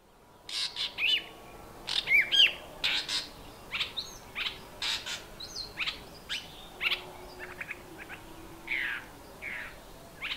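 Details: Fork-tailed Drongo before sunrise in half-dark, woken by a flock of noisy Hadedas, mimicking a Dark-capped Bulbul's alarm call: harsh, scratchy chattering notes in quick bursts with a few clear whistled notes among them.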